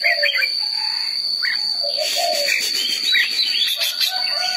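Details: Red-whiskered bulbul song of quick chirpy upslurred notes and brief lower whistled phrases, spaced about a second apart, with a steady shrill background whine and some broadband rustling in the second half.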